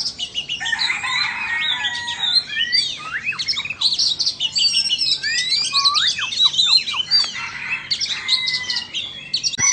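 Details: Oriental magpie-robins from Vietnam and Indonesia matched in a singing contest: rich, varied whistled phrases, quick up-and-down sweeps and harsh notes overlap almost without pause, with a sharp click near the end.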